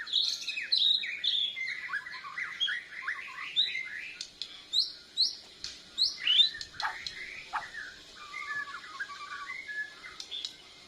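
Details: A Borneo white-rumped shama learning to sing, responding to a lure, chest feathers puffed; high whistled notes and rising slurs run in quick series, then a softer rattling trill near the end.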